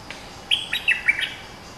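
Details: Bulbul, described as a fierce dominant local bird, singing: a short burst of bright whistled notes, rising and falling, with quick slurred phrases of four or five notes over a soft background hiss.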